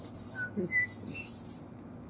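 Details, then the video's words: Anna's hummingbird giving a buzzy, very high-pitched scratchy song in two bursts, with a person's short clear whistled notes mixed in. "Anna's Hummingbird Sings"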